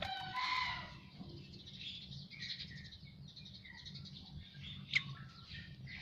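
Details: Asian pied starling after bathing, opening with a loud rich harsh note, then softer whistled and chattering notes with a sharp click near the end.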